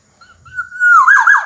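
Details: A single fluty phrase from a Black-naped oriole (kepodang emas), a gacor singer: a soft start, then a long steady whistle that ends in rapid looping warbled notes.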